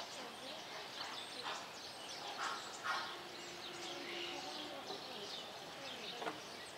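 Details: Greater flamingos at Opole Zoo give a steady, overlapping chatter of harsh, nasal honks and gabbling grunts, with a few louder goose-like calls standing out.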